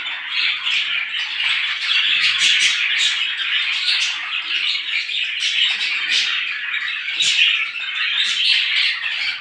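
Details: Loud, unbroken twittering of many small birds in the morning, shrill chirps piling over one another with sharp individual notes poking out.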